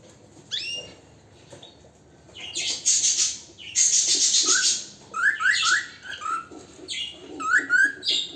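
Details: Canary singing strongly: scattered rising chirps, then loud dense buzzy bursts and quick upward-sweeping notes in an irregular run, indoors.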